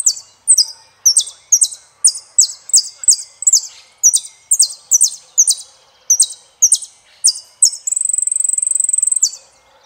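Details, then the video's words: Saffron finch singing steady phrases of piercing, downslurred double chips for about eight seconds, finishing with a long, level, rapid trill like a fine rattle. "JILGUERO ARGENTINO - El peregrino"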